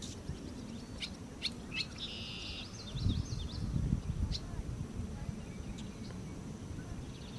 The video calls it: Barn Swallow